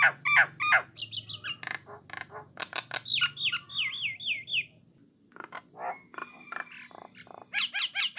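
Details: Starling song from a Jalak Nias (Jalak Coklat), played so that other starlings sing too. It opens with fast chattering notes and a series of wavering whistles, goes quiet briefly, then picks up with scattered notes and quick chips.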